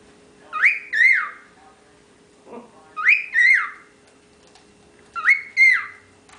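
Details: Youngest of ten pet cockatiels whistling away while the flock hangs out: paired rising-then-falling whistled phrases, each two-note figure repeated roughly every two to three seconds, with a steady low hum underneath.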